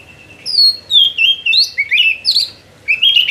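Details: Oriental magpie-robin in vigorous, continuous 'gacor ngerol' song: a run of clear, high whistled phrases that slide down and up, separated by brief pauses.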